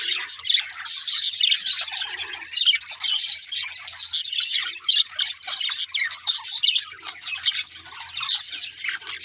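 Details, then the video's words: Several budgies chirping while playing and singing happily: a lively, constant warble of high squeaky chirps, trills and chatter from multiple birds, with brief louder bursts and a soft steady hum. "Budgies Chirping Sounds | Happy Parakeets Sing and Playing"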